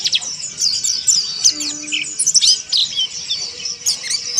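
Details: Rapid, scratchy high twittering from an Oriental white-eye (pleci monty) in 'ngeriwik kasar' style, mixing squeaky slurred chirps and buzzy notes in dense runs, with a brief lower tone partway through.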